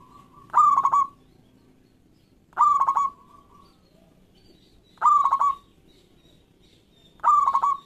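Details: A local zebra dove in full song, played to lure quiet doves into singing. Loud, resonant cooing phrases with a stuttering start and a rolling end repeat about every two and a half seconds.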